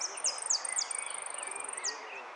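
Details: Jilguero finch in the Zona Norte singing contest of 01 11 15, third place, amarillo sin cierre song: a few sharp high descending notes and a thin high trill over hiss, with lower whistles from other birds.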